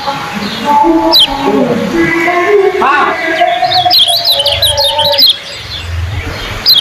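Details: Golden-bellied gerygone (kecial kuning) singing as a competition bird, compared for speed and length of song. High, rapid zigzag trill of sharp whistled notes, preceded by lower tonal phrases from other birds, with voices and low background noise.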